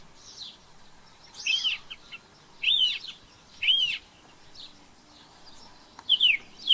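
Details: Song thrush, introduced to New Zealand, giving separate arched whistled phrases about once a second, with softer high notes between them.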